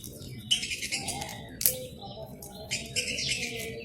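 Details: Several budgerigars (Melopsittacus undulatus), kept as pets, chatter while eating basil (tulsi) leaves: bright, scratchy chirps and warbles with voices overlapping.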